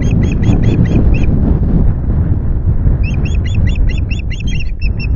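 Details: Osprey piping at the Loch Garten nest as fish arrives on a 25 July afternoon: two quick series of high, sharp repeated notes separated by a gap, the last few flatter, over buffeting wind.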